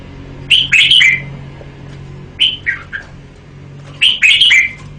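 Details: Thai VCD recording of a red-whiskered bulbul singing in the 'bao' style: three short bubbly whistled phrases separated by pauses of roughly one to two seconds, over a faint low hum.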